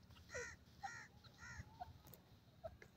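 A grey francolin gives three harsh, ringing notes about half a second apart, followed by softer short notes over a low rumbling background.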